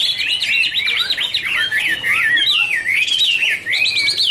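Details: Duetting Chinese hwamei, dancing and fanning wings, give a rich warbled song: rapid rolling whistled trills, then looping slurred notes rising and falling, brief dip near the end before the phrase resumes.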